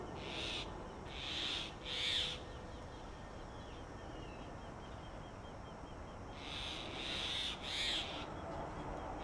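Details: At a Delhi tree-hole nest in summer heat, a male Grey Hornbill brings food to the female sealed inside; two clusters of three harsh, squealing notes separated by a quiet pause, over soft background noise.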